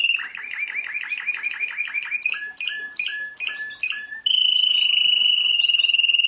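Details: World-champion canary: fast chattering syllables, then five spaced, sharply sweeping notes about half a second apart, ending in a loud, steady, high-pitched rolling trill.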